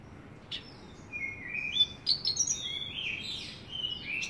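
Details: Energetic song of a Javan bush lark: a rapid, uneven sequence of high whistles and chirps, several sliding up or down, running almost continuously after the first second, with faint low background noise.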